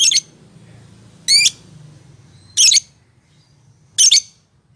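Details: Lovebird used to stimulate a quiet lovebird into singing: four harsh, high bursts, one a quick rising stepped sweep, spaced about a second and a half apart, with low hum between them.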